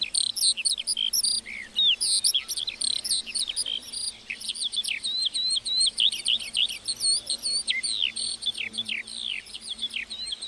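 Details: Singing lark over a meadow, a tireless flow of sharp twittering notes and zigzag whistles, dense at first and slightly sparser toward the end.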